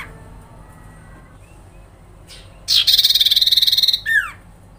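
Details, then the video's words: Sooty-headed bulbul rattling call meant to trigger a reaction from other birds: after quiet background, a loud fast buzzing trill of about a second, followed by one downward-sliding whistle. "sirpu grincingan dalam sekejap bikin burung sirtu sepasar langsung respon Emosi"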